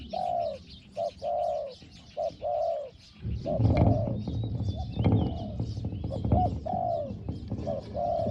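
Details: Thai decoy spotted dove cooing in a soft 'hong hong' voice: repeated short-long coo pairs, then loud rustling and handling noise covers the background while the coos continue.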